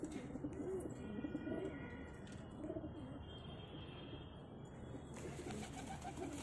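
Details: A pair of pigeons, soft low cooing phrases rising and falling, repeated in uneven bursts over a steady background hiss, with a brief higher tone near the end.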